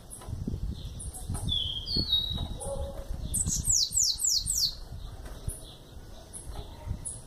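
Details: Bananaquit juvenile, eleven months old, utters thin whistles, then a rapid run of five high downslurred notes, with low thumping background noise.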